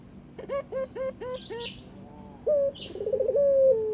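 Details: Barbary dove courting a newly given mate, inviting it to mate: a run of short, rising, upturned notes about five per second, then a wavering trill and a long, slowly falling coo.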